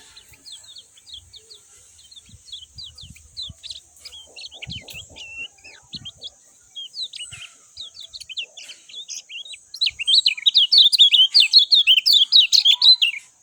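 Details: Lemon-bellied white-eye song used to prompt other white-eyes to respond quickly: faint scattered high chirps at first, then from about ten seconds a loud, fast run of sharp twittering notes over a steady high hiss.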